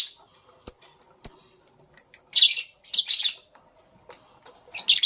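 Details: Lovebird morning chirps, clean and high: paired short squeaks repeated in quick sets, then harsher buzzy chirp bursts about every half second, with a few sharp clicks and a quiet background.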